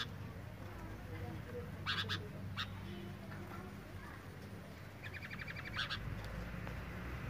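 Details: A male and a female sooty-headed bulbul in breeding condition give a few harsh chattering bursts, then a quick run of rattling notes, over a steady low background hum.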